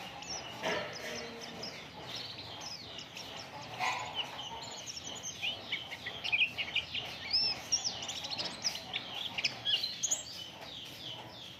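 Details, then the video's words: Oriental white-eye song played as a lure to get other birds singing: dense, fast high twittering of short chirps and rising whistled notes, continuous throughout with a soft background hiss. "Burung Pleci Gacor"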